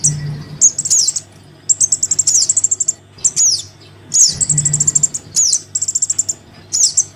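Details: Young Crimson sunbird begging its parent, played as a lure for hard-to-attract birds: piercing high notes sliding downward, alternating with quick even trills of many rapid pulses, in bursts roughly every second; steady low hum behind.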